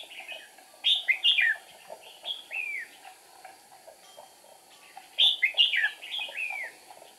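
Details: Red-whiskered bulbul decoy bird singing at a trapping site on 8 April 2019 to lure wild rivals: two bursts of bright, warbled, down-slurred notes, the first near one second in, the second about four seconds later, with quiet gaps between.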